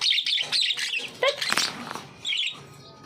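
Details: Baby budgerigars, chicks about one and a half months old, kept as pets: busy high chirping chatter in quick bursts, scratchy warbles and short squeaks, with a clatter midway and brief pauses between bursts.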